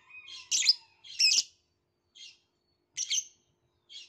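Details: Violet lovebird chirping in loud, harsh, buzzy bursts, some doubled, with pauses between, and a brief thin whistle early on.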